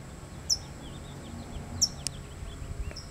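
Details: California towhee guarding a chick gives sharp, high, metallic chip notes about every second and a half, with faint softer chirps from other small birds behind.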